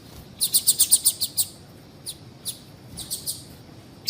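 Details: Female double-collared seedeater call that prompts males to sing: a fast string of about eight high, even chirps, followed by scattered softer single chips.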